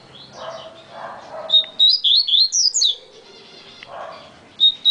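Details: Coleiro baiano (yellow-bellied seedeater) with a very fast song: a single quick run of bright, twisting high notes lasting about a second, followed by a few more notes at the end, over low background murmurs.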